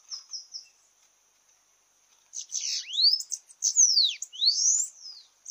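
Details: A few faint high ticks, a two-second pause, then a Bananaquit (sibite) in a campiada singing contest bursts into rapid buzzy notes with dipping and rising whistled sweeps.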